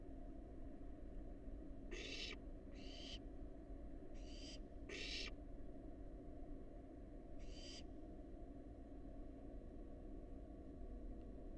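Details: Wild barn owl fledgling calling from a nest box with five harsh, noisy screeches in irregular bursts, two close together, then a pause before the last, with a steady hum underneath.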